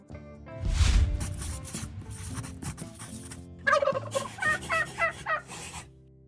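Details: Turkey gobbling as a short burst of rapid, rattling, harmonic notes lasting about two seconds, after a stretch of spoken words over light background music.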